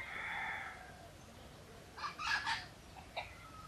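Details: Wild jungle fowl living around a pagoda near Teuk Chob Khnar Po Community Forest, Siem Reap, Cambodia: the drawn-out tail of a harmonic crow fades in the first second, then a burst of short, loud clucking notes follows amid steady background hiss.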